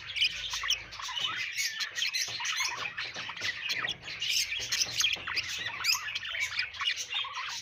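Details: A flock of budgerigars chirps without pause, a dense high warbling of squeaks, trills and harsh little squawks.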